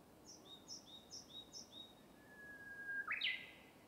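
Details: Japanese bush warbler (uguisu) singing in a bamboo forest: a long, steady, level whistle that breaks into a quick, rising-and-falling warbled flourish at the end. A run of five short, high double notes comes first.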